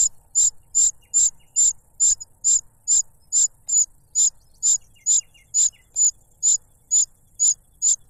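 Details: Cuckoo chick demanding food from its foster parent, which pushes a butterfly into its mouth; evenly spaced, very high, short hissing squeaks repeated about every half second for eight seconds.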